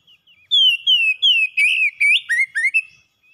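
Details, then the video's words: Pet oriental magpie-robin in full song, used as a lure to restart a bird that has stopped singing: loud clear whistled phrases, mostly sliding downward, then rising and falling notes, about eight phrases in quick succession. "KACER PELIHARAAN MACET BUNYI LANGSUNG ON GACOR SEKALI PANCING"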